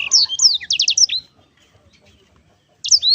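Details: Black-throated canary singing: a fast burst of high, sweeping whistled notes and a quick run of four trilled chirps, a pause of about a second and a half, then the high warbling resumes briefly.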